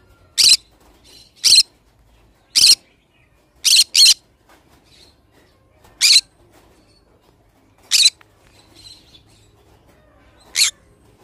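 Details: Pet pineapple green-cheeked conure giving harsh, shrill squawks in short bursts, about eight calls spaced one to two seconds apart, two of them in a quick double; the room is otherwise quiet.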